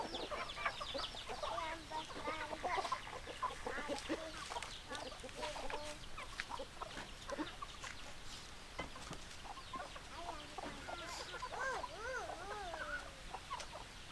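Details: Hens clucking in a group, a steady mix of short clucks and drawn-out wavering calls from several birds over constant background noise.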